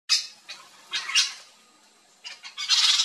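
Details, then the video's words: Wild flock of Yellow-chevroned Parakeets feeding on fruit in a backyard in Brazil: harsh, high screechy squawks in short bursts, a loud cluster near the start, a pause, then a dense chatter of overlapping shrill notes at the end. "YELLOW-CHEVRONED PARAKEET flock backyard fruits (BROTOGERIS CHIRIRI), PERIQUITO-DE-ENCONTRO-AMARELO."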